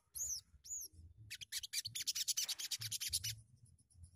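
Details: Sogon bird opens with two high arched whistled notes, then bursts into a rapid, buzzy chattering trill of many dry pulses lasting about two seconds.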